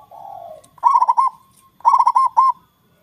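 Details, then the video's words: Local Indonesian zebra dove with a loud, booming voice, singing to lure rivals into calling back: two bursts of rapid, throaty cooing notes near one pitch, each phrase about three quarters of a second, preceded by a softer, lower coo. "Perkutut Lokal gacor suara besar| Ampuh Memancing Lawan ikut bunyi"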